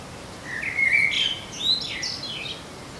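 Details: A common blackbird sings in a garden: a short phrase with a mellow whistled opening breaking into higher, scratchy twittering notes, over a steady background hiss.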